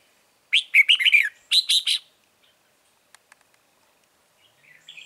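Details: Red-whiskered bulbul during trapping of wild birds on 9 March 2020: two quick phrases of bright, rolling whistles back to back, then near silence with a few faint clicks and soft chirps.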